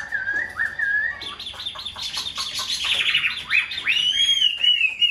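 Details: Tame hand-held Chinese hwamei in a cage, with one white wing feather, opening with low even whistles, then bursting into a loud, dense, rapid jumble of chirps and trills that ends in a long rising-falling whistle.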